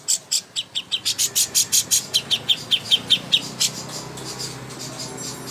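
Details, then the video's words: Greater green leafbird singing for contest preparation, a steady chain of crisp high chirps roughly two or three per second that fades after about three and a half seconds into low background hiss. "masteran ampuh untuk burung cucak hijau Lomba"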